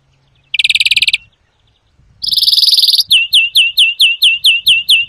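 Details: European greenfinch song meant for trapping and song teaching: a short buzzy trill, a longer harsh buzz, then a string of sharp rising chirps repeated evenly about twice a second.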